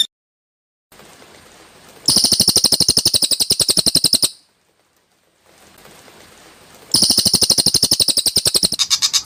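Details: Greater green leafbird (cucak ijo) giving rough, tightly packed 'tembakan kasar' bursts: two strident, rattling trills of rapid repeated notes, each about two seconds long, separated by near-silence.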